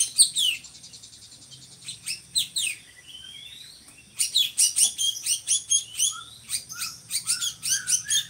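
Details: Drongo, described by Indonesian hobbyists as a loud, monotonous bird suited to tutoring others: harsh sweeping notes at first, a quiet gap, then a fast run of rasping high chips with short low whistles in between.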